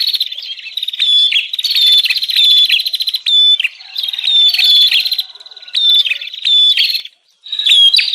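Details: Bar-winged prinia lure recording in the noisy 'ribut' style: long runs of harsh rattling chatter and sharp high chips, broken by brief quieter spells and a short silence near the end.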